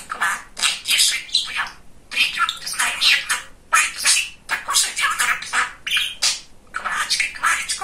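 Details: Very chatty pet budgerigar, a male, babbling imitated words: continuous high, raspy speech-like phrases in uneven bursts, each burst about a second long, indoors.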